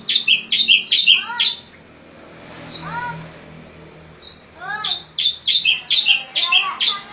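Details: 'Tembakan' training song of the striated grassbird, Javan palustris race from Java and Bali. Rapid, repeated two-note chirping phrases come in a run, pause among falling slurred notes, then resume as a lively repeated series.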